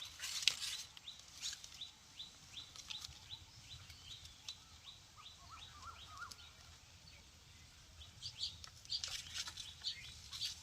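Ring-necked parakeet giving a steady run of short, high, downslurred chirps, about two a second, with scattered clicks and rustling noise at the start and end.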